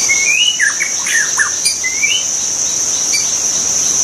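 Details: White-rumped shama in the wild, singing a run of bright upslurred and downslurred whistles packed closely together, then thinner notes, with a constant shrill insect chorus behind.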